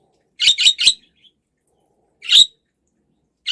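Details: Budgerigar uttering a rapid run of three scratchy chirps, then a single louder squawky chirp after a pause, and the start of another note at the end.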